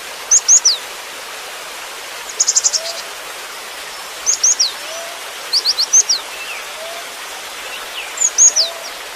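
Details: Gelatik batu, the cinereous tit, in full 'isian' song. High downslurred notes come in short bursts of two to four, with one fast trill-like cluster, spaced irregularly about every one to two seconds. A low faint whistle sounds beneath, and steady noise fills the background.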